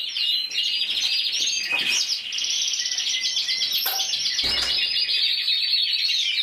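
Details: Solo intense yellow canary, Spain's 2014 champion at 94 points, sings rapid rolled trills and steady buzzy notes, with a few sharp clicks and a low thump in the background.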